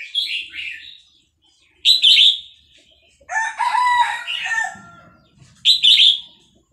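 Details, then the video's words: Caged Vietnamese red-whiskered bulbul sings fast-linked, bright warbled phrases along with a played chick recording. Between phrases comes a longer, lower, harmonic call like a rooster crow. "นกกรงหัวจุกเวียดนาม ต่อดอกเร็ว เปิดยั้วลูกนกฟักแล้วคึกร้องตาม"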